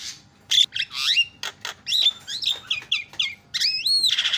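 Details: Loud Javan myna song of squeaky, upslurred whistles and harsh squawks, with bending whistled notes closing the phrase.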